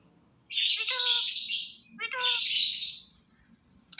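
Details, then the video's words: Talking ringneck parrot giving two long, harsh screeches about a second and a half apart, each starting with a quick stuttering series of notes, then silence apart from faint background hum. "Talking Ringneck Parrot Making Sounds"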